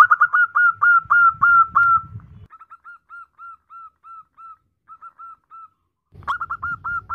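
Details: Female zebra dove calling to a male, giving loud quick whistled coos at first, then a softer, evenly spaced series of short hooked notes after a low rumble stops, and a loud burst returning at the end.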